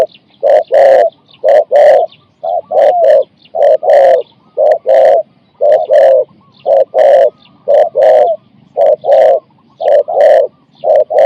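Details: Captive spotted dove calling to lure a wild dove, with phrases of 4–5 coos. Mellow, booming coos repeat steadily for the whole stretch, mostly in close pairs separated by short gaps.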